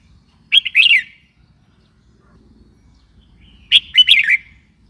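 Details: Red-whiskered bulbul calling twice with lively, slurred chirping phrases of several notes, the second slightly longer; soft low background murmur throughout.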